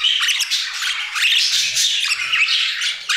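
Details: Dense, unbroken chorus of budgies in an aviary, loud scratchy warbles and high squeaky chirps overlapping throughout.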